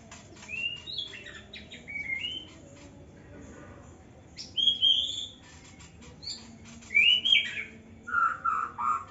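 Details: A young white-rumped shama sings in an Indonesian aviary: separate bursts of bright whistled phrases, upslurred notes and quick chattering twitters, broken by short pauses, against a faint constant hum.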